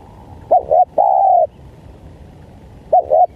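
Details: Call of a spotted dove, played to attract wild doves: one complete phrase of two brief hooked notes and a long steady coo, then the two short opening notes of the next phrase.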